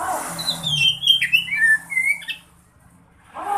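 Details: Oriental magpie-robin, a black-plumaged bird, singing a relaxed song: a string of clear whistled notes with sliding, slurred phrases, ending in a quiet pause.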